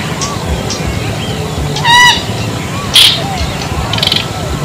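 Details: One short, nasal, honk-like bronze-winged jacana note near the middle, followed by a brief sharp high note and scattered faint bird chirps over a steady low rumble.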